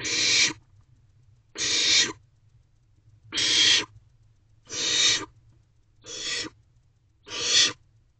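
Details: Barn owlets inside a nest box at 2:17 am on 18 May 2023, one grooming a nestmate; six steady, noisy hissing screeches, each roughly half a second long, repeated about every one and a half seconds over faint low rumble.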